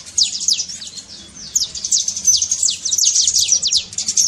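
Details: Saffron finch singing the trincado style, a song used to stir a quiet bird into singing: dense, rapid high chirps and short downslurred notes pouring out almost continuously, with brief louder bursts throughout and faint low background rumble.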